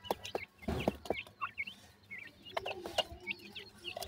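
Francolin chicks give short, high chirps and soft peeps in quick, uneven bursts, mixed with low clucks and a few sharp knocks.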